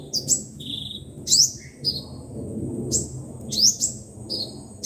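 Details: Sunbird song, five-colour and seven-colour sunbirds, played through a speaker to lure birds for trapping: very high, thin rising sweeps and sharp chips in short bursts about a second apart, with a brief lower note and a faint low rumble beneath.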